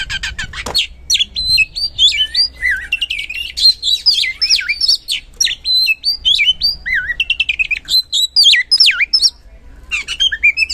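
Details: Caged oriental magpie-robin (kacer) in loud, continuous song used to stir other birds into singing; dense run of varied whistles, sharp upslurs and downslurs and quick chips, barely pausing for ten seconds.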